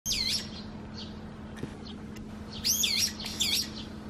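Brown-eared bulbul giving loud, shrill squealing calls: one burst at the start, then two more near the end, over a steady low hum.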